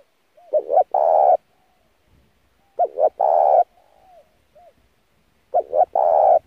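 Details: Spotted dove in fierce lure cooing for training a wild-caught decoy: three phrases about every two and a half seconds, each two brief notes then a drawn-out, resonant coo, with soft low murmurs between; otherwise silent.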